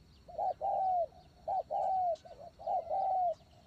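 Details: Spotted dove used as a decoy, close and clear, cooing in a rhythmic pattern: short note, long smooth falling coo, repeated three times with a brief flutter between.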